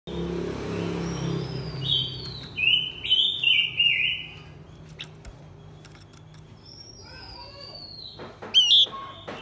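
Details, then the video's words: Blue-winged minla, male and female birds, singing a series of clear whistled notes around the upper-middle register, some stepped and falling, with a sharp burst near the end and low background hum. "Chim khướu lùn cánh xanh hót mồi kích bổi trống mái quá đỉnh."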